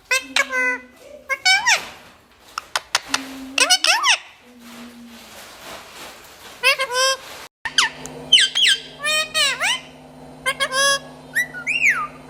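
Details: Talkative parrot producing a busy run of chattering, arched and sliding harmonic calls with short squeaks between, a steady low hum entering midway.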